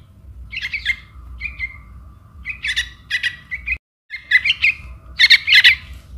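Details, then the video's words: Young trukan chick calling for its mother: harsh, squeaky chirps in short clustered bursts, some rising and falling, with brief gaps and a pause near the middle before louder, denser chirping resumes. "anak trukan memanggil induk"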